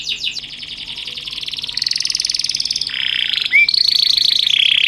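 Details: Master canary song for teaching other canaries, cengkok unik style: a few quick falling notes, then long rapid rolls that step up and down in pitch, with one short rising whistle.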